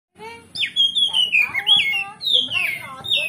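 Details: Oriental magpie-robin (kacer) in loud gacor ngeplong style, used as a lure to rouse rival birds to fight and reply: rich whistled phrases sliding down in pitch, bursts every half second, with a faint low hum underneath.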